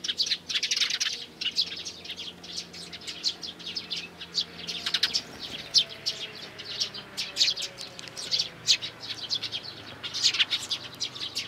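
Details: Three young sparrow nestlings, 12 May 2019, chirp in a dense, continuous stream of high, rapid notes, busiest at the start and rising and falling in bursts throughout.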